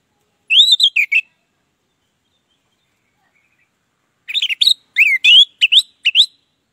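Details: Orange-headed thrush in loud ngeplong style song, used as a lure to get silent birds singing: a rising, looping whistled phrase, a pause of about three seconds, then a quicker burst of sharp varied whistles and chirps.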